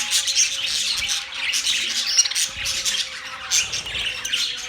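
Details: Short burst of flock chatter recorded October 3, 2023: shrill overlapping chirps and squawks from numerous birds, busy and unbroken, with a faint steady hum underneath.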